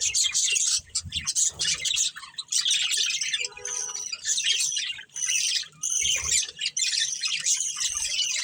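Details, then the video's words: Breeding pair of budgerigars chattering in loud, scratchy bursts mixed with squawks and thin whistled notes, interrupted by short pauses. "Beautiful Budgies Chirping Sounds"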